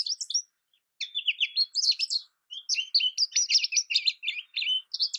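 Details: American goldfinch singing in bursts of quick, high twitters and slurred, wavering notes, with short gaps between phrases. Nothing else is heard.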